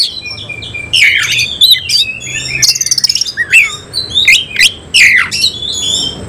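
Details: Oriental magpie-robin of semi-Cililin type in tail-spread singing display. Swooping whistles and rough notes come first, then a rapid clicking rattle, followed by repeated loud downslurred phrases.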